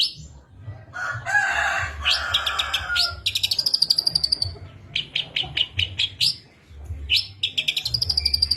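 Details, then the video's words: Long-tailed shrike singing a lure packed with imitations such as sparrow fighting calls; a harsh grating burst, then a fast buzzy rattle, a string of evenly spaced high chips and a closing trill. "CENDET ISIAN GANAS Pancingan Ampuh Burung Trotol Gacor"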